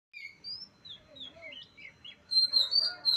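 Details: Oriental magpie-robin singing in Utan Kayu, Matraman; quiet, scattered whistled slurs give way to a louder burst of high, rapid, chattering phrases near the end, with a steady thin tone running underneath.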